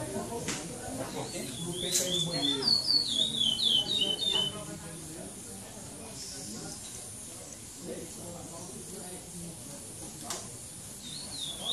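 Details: Brown-plumaged male chestnut-bellied seed finch singing in the Praia Clássico style at the seventh stage of a Maranhão song tournament, São Domingos do Maranhão, 2014; a short burst of rapid, high warbled whistles, then a murmur of people talking and crowd noise.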